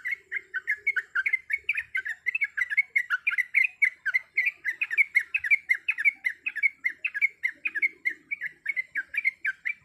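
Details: Female sooty-headed bulbul, in breeding condition, calling the male: a rapid, unbroken series of short chattering notes, several per second, bubbling slightly up and down for the whole stretch. Quiet background.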